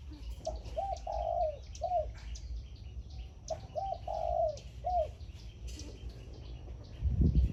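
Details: Caged zebra dove decoy bird singing in the khan yon style in the morning: two bursts of quick, hollow cooing notes with a longer rolled coo in the middle, about three seconds apart, then a low thump at the end.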